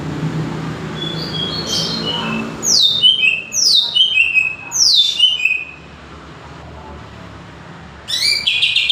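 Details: Greater green leafbird song of repeated sharp descending whistled notes in three bursts, then a pause and a sudden burst of high chirps.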